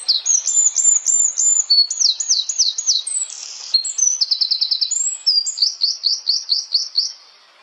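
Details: High-pitched flowerpecker song: bright, quick chattering phrases of repeated sharp notes, one fast buzzy run in the middle, then a steady string of rising chips that trails off into quiet.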